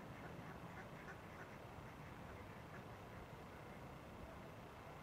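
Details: A female Ruddy Shelduck (Tadorna ferruginea) at Špica, Ljubljana, on 28 January 2023 gives quick, nasal, goose-like calls in a short run over a steady low rumble of traffic.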